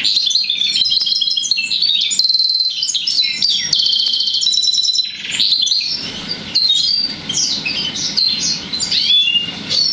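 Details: Song of a goldfinch crossed with a roller canary: loud tumbling trills and buzzy twitters for several seconds, then looser, scattered chirps and slurred notes against a faint background hiss.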